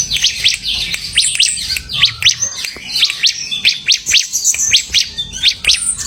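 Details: Bar-winged prinia in busy semi-gacor song, a rapid, rhythmic chain of piercing downslurred chirps over a faint high twittering background.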